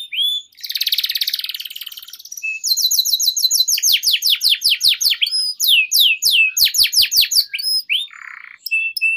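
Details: Canary singing a long song meant to lure other canaries into singing and to tutor young birds: a dense buzzy rattle opens, then fast, evenly repeated high descending sweeps, ending in a short buzz and thin notes.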